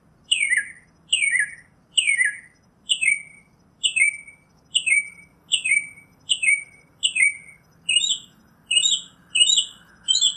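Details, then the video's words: Northern mockingbird song of steady single falling notes, about one every 0.8 seconds, changing to a twisted note shape near the end. "Birds Singing - Northern Mockingbird"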